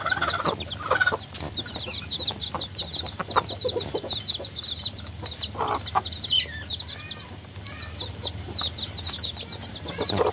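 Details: Many baby chickens chirping together, a continuous wash of high, rapid peeps with occasional louder lower notes and a steady low hum.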